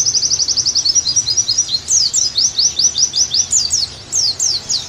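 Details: Oriental white-eye singing, used as a therapy and tutor recording to bring a pleci back into energetic song: a steady run of rapid high chirps, then sharper downslurred notes, strung together without pause.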